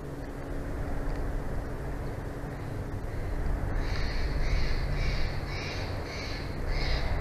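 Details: At a Big Bear Valley bald eagle nest, on a live nature cam, 06/01/2024: after a quiet start, six bright, high piping notes come in quick succession over steady low background rumble.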